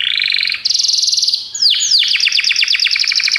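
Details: Belgian canary song used as a training recording for canaries: fast buzzy trills, then sharp downward-swept notes repeated in a rapid run.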